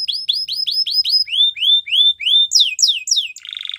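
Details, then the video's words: Belgian canary song for training young birds: six quick repeated chirps, then four longer rising-falling whistles, then loud downward-slurred notes ending in a short buzzy rattle. "Belgian Canary Singing Makes Your Canary Sound !! Best Training"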